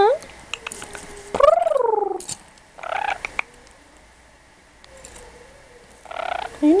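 A pet lorikeet rambles in speech-like babble: a few short chirps, then a long rising-and-falling warbled phrase, with two more brief voiced bursts after quieter pauses.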